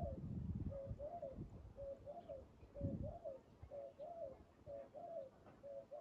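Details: Spotted dove calling as a decoy is used for trapping: a steady run of low, rolling coo phrases, each a short double or triple note, repeated about once a second over low rumbling handling noise.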